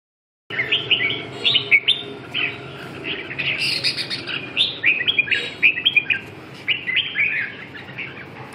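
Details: Red-whiskered bulbul song: bright whistled phrases with quick rising and falling notes, delivered in a lively run of short bursts with brief pauses.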